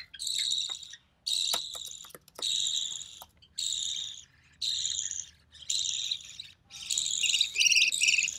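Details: Single surviving recessive pied budgie chick, born June 2020, being fed by its mother; long grating buzzy notes, each about a second, repeat steadily with short pauses, the final one more broken and wavering.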